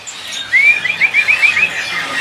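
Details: A caged white-rumped shama at a bird-market stall in Pramuka market, East Jakarta, on a cool day gives a quick run of bright, rising and falling whistled notes lasting about a second, over faint market noise.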